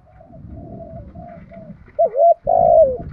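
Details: Decoy spotted dove giving its calling coos to bring in wild birds: quiet drawn-out coos over a low rumbling background, then two loud, bending coos.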